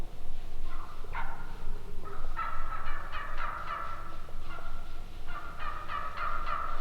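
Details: Turkeys calling: several bursts of hoarse yelps, each burst a quick series of three to six notes, with short pauses between bursts and a low rumbling background.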